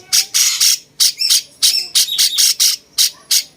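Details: Cucak cungkok bulbul song used to tutor other songbirds: a quick run of about ten harsh, rasping chirps, some with short bent whistles inside, delivered at a lively uneven pace.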